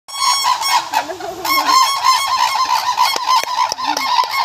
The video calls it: crane roar sound